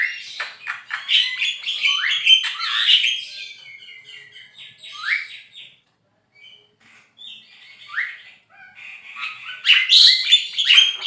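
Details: Javan pied starling in full, lively song: a busy jumble of harsh squawks, chattering notes and short rising whistles, with brief pauses between bursts.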